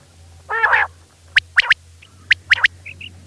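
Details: Night calling of a female quail: a brief harsh rasping burst, then crisp clipped notes in pairs and triplets with short pauses, and a low background hum throughout.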